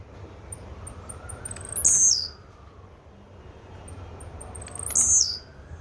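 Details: Blue-black grassquit singing twice about three seconds apart. Soft high ticks build into a loud, piercing buzzy note that quickly drops away, with a low rumbling hum underneath.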